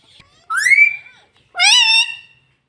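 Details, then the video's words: Talking pet ring-necked green parrot, two drawn-out harmonic utterances about a second apart, the first a rising glide that levels off, the second a steady nasal tone, in a quiet room. "mitthu voice - bolta tota very cute - green parrot talking"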